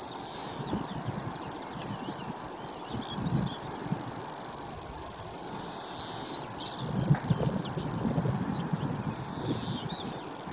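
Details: Common grasshopper warbler, Bowesfield Marsh, 19 June 2017, reeling continuously for an hour; recorded with a Nikon P900, a long unbroken shrill, fast-pulsed reel at steady pitch runs throughout, over quiet low rumble.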